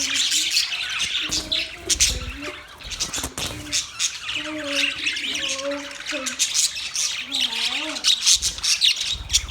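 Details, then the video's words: Budgerigar flock chatter of busy, scratchy high chirps and warbles running throughout, while lower wavering hum-like tones come and go underneath and a few sharp clicks punctuate it. "Birds Chirping sound Beautiful Budgies sound Parrot relaxing voice"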